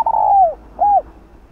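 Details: Spotted dove acting as a decoy for wild doves: a long downward-gliding coo followed by one shorter arched coo, then quiet.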